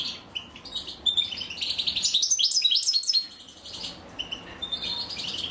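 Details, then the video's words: European goldfinch female feeding nestlings; soft high twitters building to a dense burst of sharp chirps, then fading to quieter calls. "أنثى الحسون وهي تطعم فراخها"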